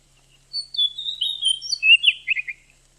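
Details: Female Oriental magpie-robin calling to stir a male into singing and breeding condition: a run of thin, high whistled notes sliding down in pitch, ending in quick chirpy slurs.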